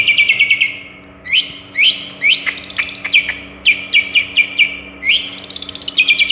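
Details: Long-tailed shrike with a varied, imitative repertoire: a rapid buzzy trill, then clusters of sharp downward chirps and squeaky notes in bursts, closing with another fast trill.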